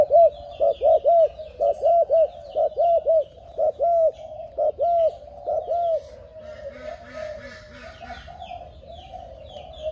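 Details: Young seven-month-old spotted dove of Malaysian stock, offspring of a decoy bird, cooing: short, mellow arched notes delivered in quick pairs and triplets for about six seconds, then fading into fainter, busier calls with other birds in the background.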